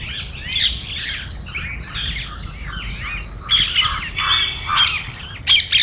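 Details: A flock of parrots feeding on grains in a Bangalore park gives loud, harsh squawks in irregular bursts, several birds calling at once and growing louder toward the end, as a squirrel tries to approach.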